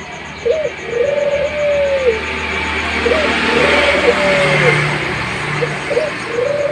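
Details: Young Zebra dove, an active singer, giving drawn-out, smooth mid-pitched coos that hold steady and dip at the end, three phrases in succession, over a steady low hum like traffic and faint background chatter.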